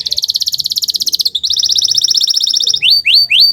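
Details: Canary song used for training other birds: a fast rolling trill, a second slightly higher trill, then several loud rising whistled slurs in quick succession.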